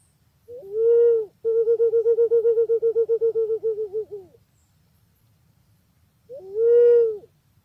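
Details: Pink-necked green pigeon: a pure whistled note, then a long run of quick warbling pulses that waver and slowly fade, followed by another drawn-out whistle; otherwise quiet.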